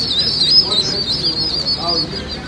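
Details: Chorus of Welsh Harlequin ducklings giving continuous shrill, wavering peeps, one louder squeaky burst early on and a few lower chirps later, over faint low rustling.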